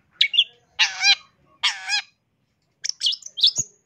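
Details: Long-tailed shrike song used for training birds: a short chirp followed by two harsh, nasal rasping notes, then a burst of quick, high, sharp chips after a pause.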